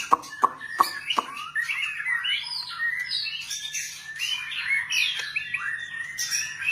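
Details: White-rumped shama song opening with a few sharp clicks, then a flowing series of warbled, rising and falling whistles and quick trills, over a faint constant hum.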